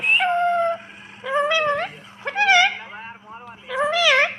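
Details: Pet rose-ringed parakeet imitating human speech while talking with a person: several wavering, nasal word-like phrases with short pauses, over a steady low hum.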